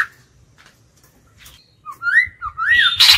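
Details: White-rumped shama lure bird in captivity, singing to attract and challenge wild birds: after near silence, clear whistled notes arch up and down, followed by a bright, harsh burst at the close.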